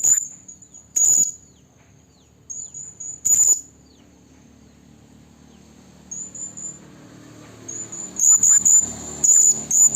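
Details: Female blue-crowned hanging parrot calling for a male, a recording used to lure birds for trapping. Piercing high whistled tones with two shrill bursts early on, then quicker sharp notes near the end over a rising soft background hiss.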